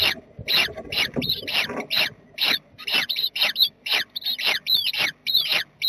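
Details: Jackdaws, a family in their nest box on 7 May 2020, give steady, rapid, high, squeaky calls with a slightly rasping edge, almost continuous over six seconds, alongside a low background hum.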